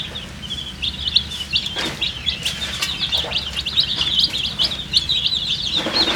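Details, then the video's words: A group of colour-dyed chicks, thirsty and drinking water, keep up a continuous chorus of shrill, rapid peeping, each note short and high, calls crowding one another almost without a break. "MURGI chicks Chirping sounds with thirst for drink water"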